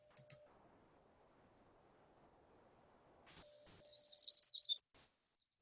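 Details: A Pacific Wren gives a call heard all year round: a rapid, tumbling burst of very high, tinkling notes for about a second and a half, after two brief high chips, over a steady electronic hum.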